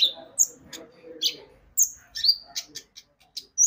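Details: Javan white-eye song played as a lure to make birds sing: high, sharp chirps and short whistled notes, scattered and irregular, with a faint low murmur underneath early on.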